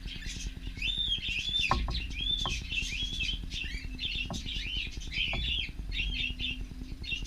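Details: Caged cockatiels in an aviary chattering almost continuously with overlapping warbled whistles and chirps, over a constant low electrical hum and occasional knocks.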